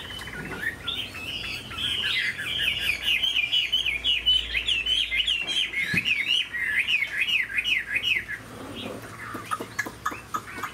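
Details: Caged Chinese hwamei of large build with a fine voice, pouring out a fast song of looping whistled notes, about two or three each second for eight seconds, then scattered clicks and softer notes.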